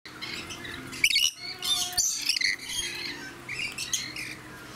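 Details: Red lory at Aloha Garden Tateyama, Chiba, Japan, 17 June 2018, at a nectar-juice feeding spot where dominant rainbow lorikeets also feed, gives harsh, grating squawks in several bursts amid shrill chatter from other parrots.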